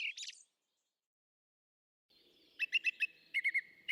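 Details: A Common Blackbird gives a brief high chirp, then after a pause a run of quick, clear repeated notes over a faint steady tone; an example of blackbird song heard at night in spring, with melancholy phrases separated by brief pauses.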